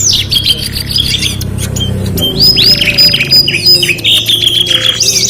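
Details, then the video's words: Canary song with high fast trills, a long rolling buzzy tour and sliding whistled notes in a continuous stream, over a low background rumble and clicks. "KENARI GACOR 2 IN 1 | CANARY SINGING"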